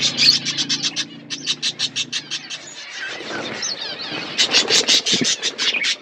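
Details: Budgerigar colony: quick rhythmic series of sharp high chirps, about three per second, pausing midway for softer warbled chatter, then resuming loudly; a low hum at the start.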